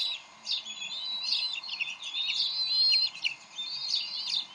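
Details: During a fish delivery at the Decorah bald eagle nest on 30 May 2012, the adults briefly argue. Busy high-pitched chattering mixes quick chirps with brief thin whistles.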